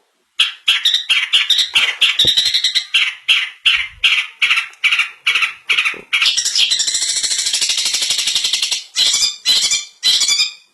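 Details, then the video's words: Long-tailed shrike, a cendet with a song of the 'isian mantan' style: harsh, squawky notes repeated rapidly in bursts, then a continuous scratchy chatter, ending in a few more clipped bursts. "suara burung cendet isian mantan"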